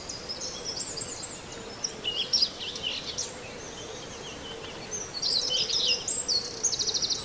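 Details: A Common Whitethroat near Wells-next-the-Sea gives brief, scratchy, chattering song phrases, high-pitched and hurried, ending in a rapid run of repeated notes, over a steady low hum and other faint birds.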